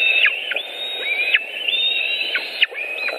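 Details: Nesting white-tailed eagles with fish, Latvia, July 2018 evening: piercing whistled calls that rise slightly and break off in steep downward glides, roughly two per second, with soft background rush.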